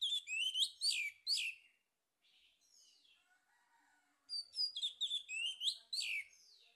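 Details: Male orange-headed thrush song used as a lure: rich, varied whistled phrases with sliding notes in two bursts, separated by a quieter pause with soft lower warbling.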